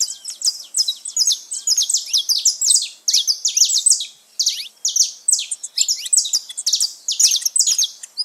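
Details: Saffron finches, many wild birds free in nature, singing together: dense, overlapping high chirps and sharp twittered notes tumbling in quick irregular bursts, barely pausing throughout.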